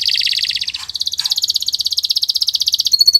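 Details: Canary song for tutoring other cage birds as masteran: a sustained fast rattling trill pulsing steadily for nearly three seconds, broken by two short rustles, closing on a thin high whistle.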